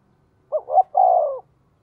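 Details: A single quick cooing phrase from a decoy spotted dove luring wild birds: two short hoots then a longer, level, slightly hoarse coo fading out; otherwise silent.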